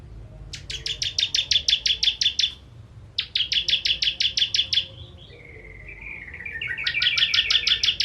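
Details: Ciblek, the bar-winged prinia, giving 'kristal' sharp-shot phrases used to train contest birds: two rapid trains of high clipped notes, then a softer falling twitter that builds into another fast, loud series of chips.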